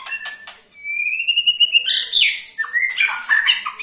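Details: A white-rumped shama's ketrekan for prompting other shamas to sing: a few clicks, then a long rising whistle that breaks into a fast, buzzy warble.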